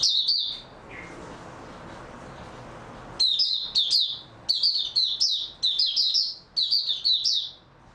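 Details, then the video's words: Rested caged white-eye, 3 March 2022. A brief twittering phrase is followed by a hissy pause, then a lively run of high, quick warbled phrases tumbling one after another. "Mata Puteh Raja Video 2 buka sing tiong aw"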